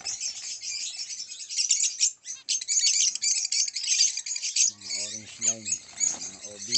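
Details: Orange line o.b zebra finches chattering in a dense chorus of high, buzzy, nasal chirps and twitters that fill the whole stretch, with a man talking over the last two seconds.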